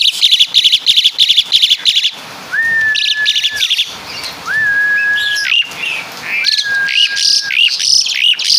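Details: Javan Asian pied starling copying caladi and kapas tembak: rapid chip clusters give way to three long, even whistles, each followed by twittering high notes.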